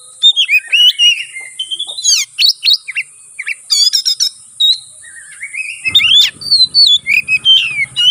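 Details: Fighting song of an oriental magpie-robin, aimed at goading rivals: wavering whistles, sharp upsweeps, clustered trills, then rising and falling slurred phrases, accompanied by a low hum in the second half and constant high hiss.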